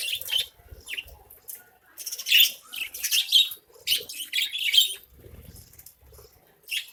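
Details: Budgerigars in a cage colony feeding on grain, producing uneven bursts of high, squeaky chirps and chattering, with faint low rustling between the calls.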